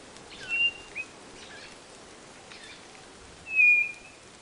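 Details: White-bellied nothura singing: a fainter high whistle first, then a louder, level whistle near the end, with brief chirps from other birds between them.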